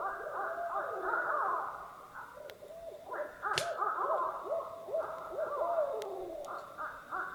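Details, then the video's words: Active barred owls calling on a lake in Algonquin Provincial Park during early spring, heard distantly from camp: a sustained tangle of overlapping, looping, wavering hoots and cackles, several birds calling at once, with a brief knock midway. "There are some active barred owls on this lake."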